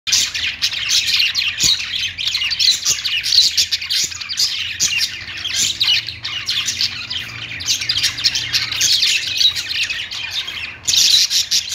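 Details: Pet budgerigars singing on a perch: dense, continuous chattering warble of quick squeaky notes and harsh squawks, several birds overlapping, with a faint low hum behind.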